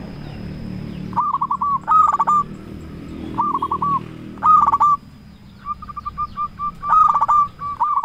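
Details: Trapping lure from a local zebra dove, sung to excite rivals into answering: clusters of fast, clipped cooing notes, some rough and rattling, spaced by short pauses over a noisy background.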